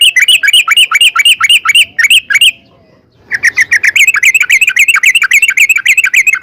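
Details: Sooty-headed bulbul in a rapid 'ropel' run, used as a lure so other bulbuls sing: very fast, bright chirping notes repeated in tight sequence, a second-long gap, then the rapid chirping continues.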